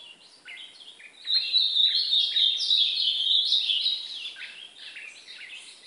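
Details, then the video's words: Brown-plumaged (pardo) Ultramarine grosbeak in song training, singing intensely: a fast, warbled phrase of rich whistles and slurred notes, tumbling between high and middle pitches for several seconds over faint background hiss. "1 hora de treino de azulão pardo é golinha meu azulão pardo fogueando"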